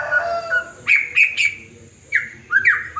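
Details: White-rumped shama, a wild forest bird from West Aceh that copies many forest birds and a hen just after laying, gives loud clear whistled notes repeated in short bursts, some sliding down, with a thin steady high hiss behind.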